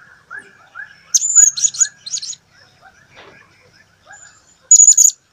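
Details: Blue-crowned hanging parrot singing: bursts of thin, very high squeaky chirps in tight clusters, mixed with a lower, repeated, slurred whistled phrase from another bird in the background.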